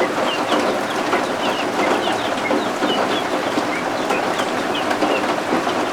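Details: Newly hatched guinea fowl keets huddling warm under a heat lamp indoors, with rain and thunderstorm outside; many short, high, chirpy peeps overlap rapidly throughout, over a steady hiss of rain.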